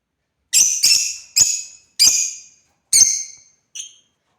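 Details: Pet African lovebirds at play give a rapid run of loud, harsh, high chirps, some paired closely, with brief pauses between, against a quiet background.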